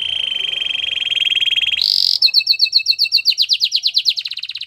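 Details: White Belgian canary singing in the wild holds a long even buzzy trill, rises briefly higher, then breaks into crisp repeated upswept notes about four per second.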